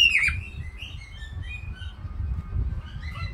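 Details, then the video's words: Pet caique making cute sounds: one sharp chirp at the start, then a run of soft, short whistled notes over low background rumble. "Billy the caique making cute sounds"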